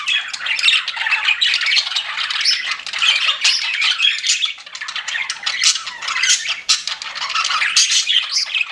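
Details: Several pet budgies chattering at once. Busy, rasping warbles and quick high chirps form an unbroken wall of sound that swells and dips every second or two.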